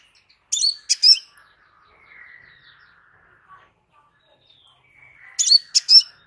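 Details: Piercing, high chip notes of a crimson sunbird, a pair of sharp strokes early, then a long hush with soft, thin, drawn-out whistles, before a second tight group of three chips.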